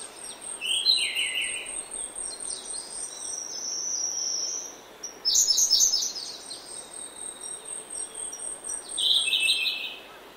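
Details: Grey-backed thrush singing in oak woodland in early morning: two short, rich, warbled phrases, the second about eight seconds after the first, over a steady high insect drone and faint chirps of other birds.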